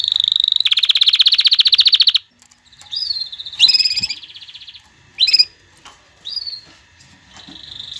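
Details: Singing canary, played to tutor youngsters and stimulate breeding: a loud, very fast rattling trill, a short silence, then varied phrases of upswept whistles, brief buzzy rolls and sharp chips.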